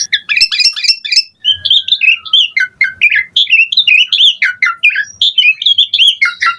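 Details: Asian pied starling pouring out a varied, busy song meant to set other starlings singing; dense, continuous chirping and warbled whistles that jump up and down in pitch, with a thin drawn-out whistle early on.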